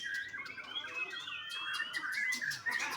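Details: Juvenile white-rumped shama, bred on a farm in Bali, Indonesia, producing thin sliding whistles and short rising notes, interspersed with brief clicking ticks, in a soft three-second phrase.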